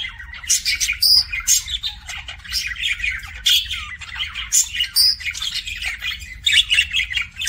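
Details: Pet budgerigar kissing sounds: bursts of high squeaky chirps, sharp whistles and clicks every second or so, with scratchy chatter between and a low hum beneath.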